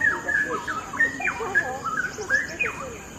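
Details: Straw-headed bulbul, known locally as cucak rawa, singing a rich, bubbling warble of quick whistled notes that slide up and down, delivered in a steady flowing stream over a faint high background hiss.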